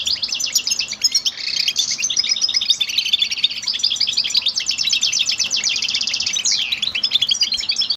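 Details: Goldfinch singing a long, fast, cheerful twittering song of tinkling chirps and trills held high and dense throughout, with a short descending buzzy slur near the end; faint low background hum.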